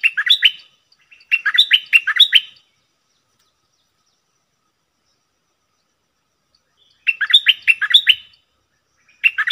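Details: Doubled 'phleng boen' song from a cream-vented bulbul, 18 June 2021: two energetic bursts of rapid, liquid whistled notes, several per second, with long quiet stretches between them.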